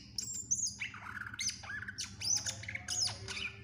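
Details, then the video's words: Greater green leafbird, known locally as cucak ijo, singing vigorously: rapid varied phrases of sharp high whistles, buzzy notes and squeaky chatter, with lower slurred notes mixed in over a steady low background hum. "Cucak Ijo gacor FULL Isian"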